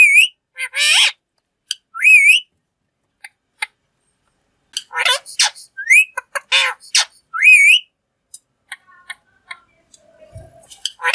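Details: A talking green parrot gives repeated wavering upslurred whistles between rough squawks and clicks, with pauses, ending in soft scattered ticks and one low thump.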